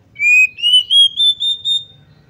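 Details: Female Oriental magpie-robin used as a lure to make males aggressive, sing loudly and fan their tails: six clear whistled notes rising step by step in pitch, spaced evenly over about two seconds, with faint low background hum.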